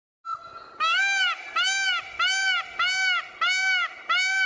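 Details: An Indian peafowl (peacock) calls: six loud, nasal, rising-and-falling wails in quick succession, about one every two-thirds of a second, against a quiet background.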